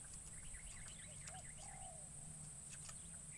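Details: Caged spotted dove used to lure wild doves in forest, its first trip into the wild; a single low falling coo preceded by a short note, while small birds chirp higher and insects drone steadily.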